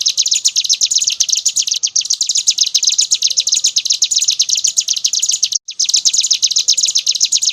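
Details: Unbroken rapid high trilling from a brown prinia, ngebren style, with fast regular note repetition and two very short breaks in the stream.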